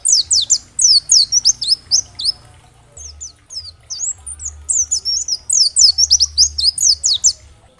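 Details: Oriental white-eye tutor song, 'dakbal' type, for stimulating other white-eyes to sing. Strings of bright, fast descending chirps pour out in two main bursts separated by a short pause, over faint low hum.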